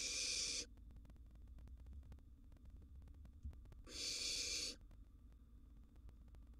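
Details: Begging barn owl nestling, wild, in a monitored nest box at mealtime with a gerbil: two harsh breathy hisses, under a second each, about three seconds apart, with light thumps between.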